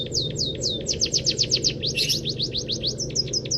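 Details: Munia singing canary-style material for songbird training: quick downslurred high chirps run together in an even trill, a short rougher note midway, over a constant low background hum.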